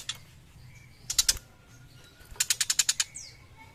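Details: Young tiger shrike singing actively: a short burst of dry, rapid clicking notes, then a longer rattling series of about seven harsh, evenly spaced ticks, with faint thin whistles and low background hum.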